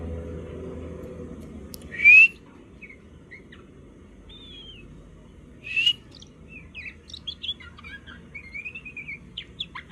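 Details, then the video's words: Juvenile oriental magpie-robin learning to sing: two loud rising whistled notes about four seconds apart, then a string of quieter, scattered chirps and short warbled phrases. "kacer trotol belajar ngobra"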